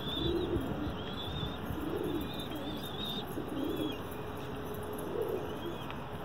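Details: Pigeons kept for sale give low, soft, muffled coos in short bursts about every one and a half seconds, over a steady hiss, with faint thin high whistles from other birds.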